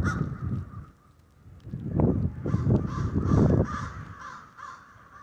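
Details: Many crows at a snowy Denver roost give repeated coarse caws that overlap into a ragged chorus, over strong low rumbling.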